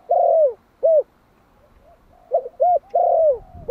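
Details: A Malai spotted dove, one year old, calls to attract wild doves with loud, mellow coos. A long falling coo and a short hoot end one phrase. After a pause, a stuttered lead, a round coo and another long descending coo follow.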